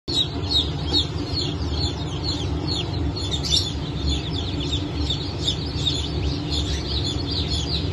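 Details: Newly hatched chickens of the Brahma, Fizan, Sultan and Appenzeller breeds, hatched 9 May 2024. A dense chorus of many high, down-sweeping peeps overlaps continuously over a steady low hum.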